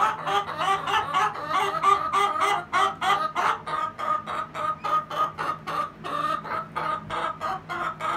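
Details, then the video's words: A Rhode Island Red and a Golden Comet hen possibly giving the egg song: a rapid run of loud, squawky cackling clucks, about three per second, evenly repeated over a low steady hum. "The Egg Song?"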